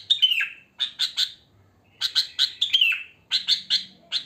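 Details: Wild sooty-headed bulbul song, free of mimicked phrases, played to lure bulbuls: groups of three or four bright chirps separated by short silences, a few notes sliding down at the end of phrases.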